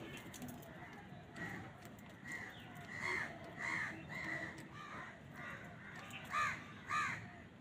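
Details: Crows squabbling with wild birds over food: a series of harsh caws, faint at first and growing louder, roughly one every second, ending in two strong ringing caws, over a busy outdoor background of chatter and rustling.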